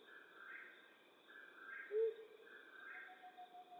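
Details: Flammulated owl at night in western North America giving a single short, low hoot midway through, over a steady pulsing higher-pitched chorus in the background.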